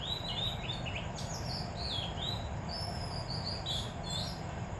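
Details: Oriental magpie-robin (Copsychus saularis) singing in the morning in India: bright high whistled phrases, some sliding up or down, over a steady low rumble of background noise, with other birds singing.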